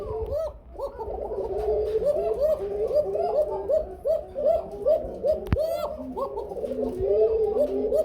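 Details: Shalik cooker pigeons, a fully breeding caged pair said to call a lot: a long run of quick rolling coos with short rising and falling notes, about two or three a second, faint voices and a sharp click midway.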